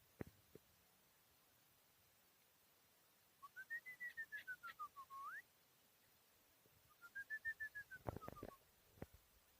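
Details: Tajik Chukar partridge, four years old and raised from a chick, 2021: two rapid runs of pulsed notes, each rising then falling in an arch, the first ending in an upward hook, with sharp clicks nearby.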